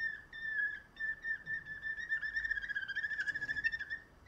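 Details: Canary kept for its singing produces a rolling whistled tour at one pitch, the notes first spaced and then speeding into a fast, even, bubbling trill, with a brief clicky sound late.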